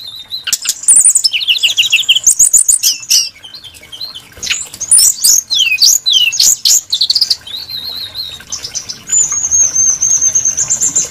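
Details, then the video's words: Varied, melodious song of a brown-chested jungle flycatcher: long continuous sequence of fast warbles, trills and slurred whistles shifting in pitch, closing with a sustained high thin whistled note. "Burung srdc menarik Hati pendengar nya"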